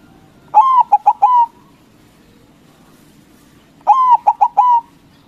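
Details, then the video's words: White local zebra dove (perkutut), kept as a lure bird, singing loudly to provoke rivals to answer: two mellow coo phrases about three seconds apart, each a long note, three quick clipped notes, then a long falling coo, over quiet background. "Perkutut Putih Gacor Suara BESAR bikin Cepat Emosi Lawan Auto Nyaut Seketika"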